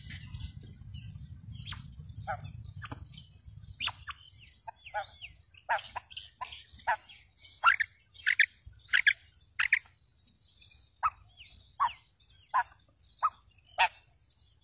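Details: Female quail call used as a lure for trapping quails: short, sharp broadband notes in irregular bursts, some doubled, rising in loudness partway through, over a low rumbling hum at the start.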